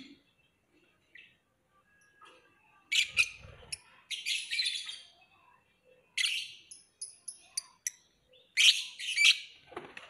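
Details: Lovebird chirping, with sharp, piercing notes and quick twittered runs coming irregularly after a quiet opening, and a brief low thump near the start.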